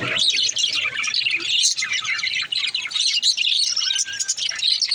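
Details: A baby budgerigar sings with nonstop bright twittering and scratchy chirps, briefly dipping quieter near the middle before the chatter swells again.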